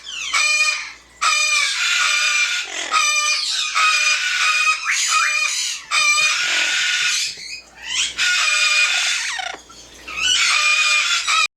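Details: Pet yellow-naped amazon singing and being funny indoors, giving loud, bright, harmonic bursts of a second or so, separated by brief gaps, somewhat like clucking and crowing.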